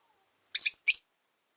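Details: Two harsh, buzzy high chirps, the first drawn out and sliding, from Rosy-faced Lovebirds housed three to a cage, with the original white-faced bird unhappy about the yellow-faced newcomer.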